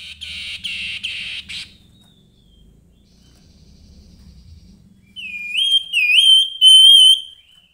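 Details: Grey-headed babbler in lively song: a burst of buzzy, dense notes around the upper mid-range, a pause, then clear wavering whistles rising and falling, with faint low background rumble.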